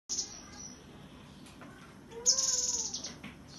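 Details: A cinereous tit sings in tembakan style on Monday 15 September: a short buzzy high burst, then a louder rattling burst accompanied by clear, slightly falling whistled notes, over a steady low background hum.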